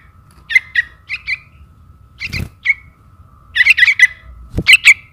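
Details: Lure recording of a trukan chick calling its parent: scratchy high squeaks singly and in pairs, building to rapid clustered squawks, with a dull thump and a faint steady hum behind.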